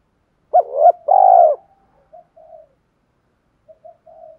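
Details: Lure spotted dove with a deep 'thổ' voice gives a single mellow phrase of double note and drawn-out coo. It is followed by scattered soft, quiet cooing notes.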